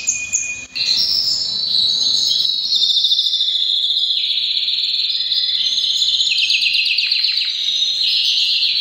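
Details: Breeding-season canary pouring out a long, steady high trill that wavers slightly in pitch, ending in faster chopped notes.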